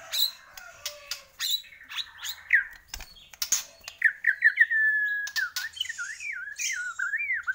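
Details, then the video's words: A Bornean white-rumped shama in full song. Sharp clicks and short chips come first, then a clear whistled phrase of quick upward-bouncing notes and a long wavering, warbled whistle. "Murai Borneo Gacor"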